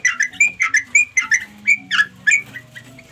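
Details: Sooty-headed bulbul calling companions: short bursts of sweet, slurred chirps in uneven clusters, with brief gaps between phrases.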